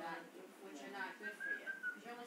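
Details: Blue-fronted amazon parrot having fun, whistling and laughing: harmonic, speech-like chatter and laugh-like notes, then a clear mid-pitched whistle held for nearly a second, followed by more chatter.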